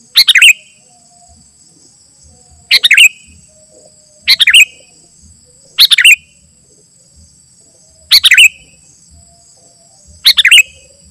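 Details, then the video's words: Sooty-headed bulbul in 'gacor' song, used as a lure for wild bulbuls and a tutor at home: six short, sharp bubbly phrases with falling whistled notes, spaced about every one and a half to two seconds, over quiet background and a high hum. "Suara Burung KUTILANG GACOR Ampuh Untuk Panggilan Kutilang Liar dan Cocok Untuk Masteran"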